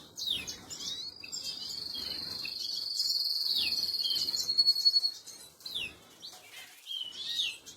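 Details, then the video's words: Canary chicks being fed by an adult, recorded 26 April 2022: a thin, high, steady whine held for several seconds, broken by quick upward and downward squeaky slurs and short chirps, with soft rustling beneath. "Canary Feeding Baby"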